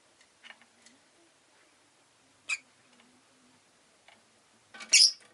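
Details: Pet rosy-faced lovebird making occasional thin chirps, then one louder, rasping chirp near the end, over faint background murmur.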